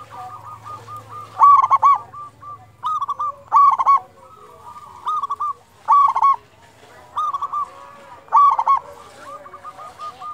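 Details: Local zebra dove singing often and loudly, for luring quiet doves into song. About eight phrases of bubbling, clipped coos repeat every one to two seconds, with a low hum early on.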